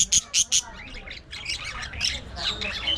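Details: Budgerigars in an aviary colony: three loud, sharp chirps in quick succession open the clip, followed by a softer, busy warbling chatter from several birds.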